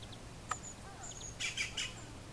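Three quick, rolling, liquid notes from a European bee-eater, close together, after a sharp click and a few faint high chirps over quiet outdoor hiss.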